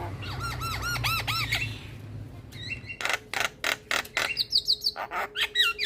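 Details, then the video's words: Javan myna, full 'isian' song used as a tutor recording to coax quiet mynas into singing: a series of arched harmonic notes over low hum, then harsh broadband bursts alternating with quick whistled trills, repeated about three times a second. "Kicauan Burung Jalak Kebo Full Isian pas Untuk Masteran dan Pancingan Jalak Malas Bunyi"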